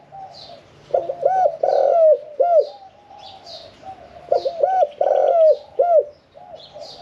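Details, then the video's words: Caged spotted dove, kept one year four months, singing the Thai 'khan yon 1 kuk' style in a middle-pitched voice: loud arched coo phrases repeated twice, with softer cooing and chirps from other birds behind. "ฟังเสียงขันนกเขาใหญ่ { ขันโยน 1 กุก} ,{นกเสียงกลาง}"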